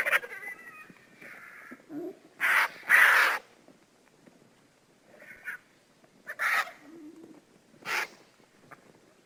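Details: Lappet-faced vulture (Torgos tracheliotos) giving harsh, breathy rasping hisses in about five irregular bursts, the loudest two close together, with softer throaty murmurs between.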